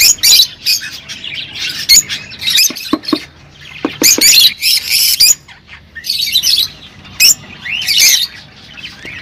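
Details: Rosy-faced and Fischer's lovebirds chattering to encourage mating: bursts of shrill squeaky chirps and harsh squawks come in clusters with brief quiet gaps between them, and several birds seem to call together.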